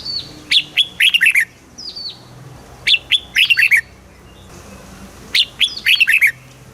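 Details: Caged Red-whiskered bulbul from Thailand singing in the southern master-phrase style, played to excite other caged birds: three rich whistled phrases of quick down-slurred notes, one about every two and a half seconds, over faint low hum.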